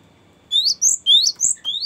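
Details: Cinereous tit singing a long rolling 'ngerol' phrase meant as a lure and training song: a handful of loud, high rising whistled notes with thin overtones, following a short silence.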